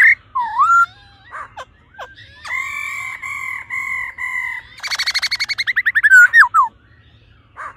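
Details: Female laughingthrush calling to stimulate the male, a drawn-out steady harmonic note lasting about two seconds, followed by a rapid burst of raspy pulses and sliding whistled notes.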